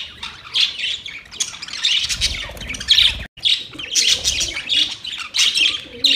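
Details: Budgerigars chatter to each other in lively, high, buzzy warbling bursts, broken by a brief silent gap in the middle, then resuming just as busily.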